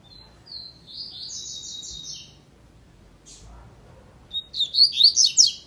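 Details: Double-collared seedeater in the tui tui / zel zel song style gives a buzzy, rattling high phrase, a brief lone note, then a loud run of sharp sweeping chirps, with low background hum.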